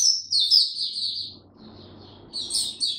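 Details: A white-eye sings in warm, very humid weather, 26 March 2022. A burst of thin, high twittering notes is followed by a brief quieter pause with faint background hum, then more high warbling resumes.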